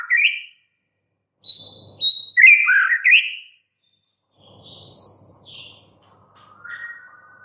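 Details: Captive white-rumped shama song: clear high whistles followed by tumbling warbled phrases, then softer scratchy, buzzy notes and a low drawn-out whistle near the end, with gaps of silence between phrases.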